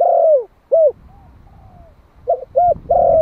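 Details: One-year-old Malai spotted dove used as a decoy bird in Vietnam, calling to attract wild doves. A long falling coo and a short coo end one phrase. After a pause, a new phrase of quick double coos leads into another long coo.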